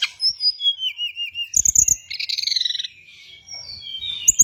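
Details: Hill blue flycatcher master song for training and luring birds: a run of clear rising and falling whistles, then a quick trill and a long, quavering high phrase.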